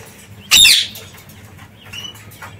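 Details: Parakeets in an aviary give one loud, harsh screech, followed by two faint, high chirps over a low background hum.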